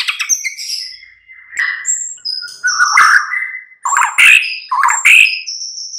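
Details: Mid-morning lure song of a white-rumped shama, aimed at making other birds answer and sing freely. Separate whistled notes and slurred phrases lead into loud, sharp, emphatic bursts with high thin whistles between them.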